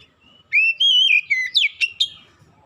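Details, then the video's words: Oriental magpie-robin lure song used to set hard-to-start young birds singing: one loud phrase of sustained, slightly wavering whistles that step down, then rising slurs and two sharp high chips. "kicauan pemikat Kacer bahan susah bunyi langsung gacor"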